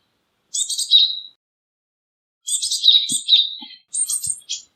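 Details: Japanese tit, Parus minor, uttering buzzy high bursts each ending in a clearer lower tone, one single call then a longer string of several in quick succession, with faint soft knocks beneath.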